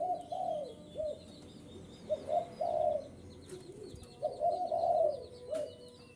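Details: Spotted dove cooing as a strong lure for wild birds: soft, low, hollow coos in short groups of two to three notes, repeated twice over several seconds, with faint high chirping of small birds in the background.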